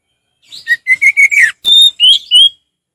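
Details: Orange-headed thrush in relaxed ngeplong song, a rapid series of clear whistled notes rising slightly, then three longer sweet whistles with bright overtones, all delivered in under two seconds.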